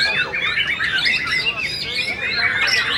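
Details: White-rumped shama of the balak type, the first-place winner of a songbird singing competition, delivering a dense, continuous run of varied whistles, slurred notes and rapid chattering phrases, loud and unbroken throughout.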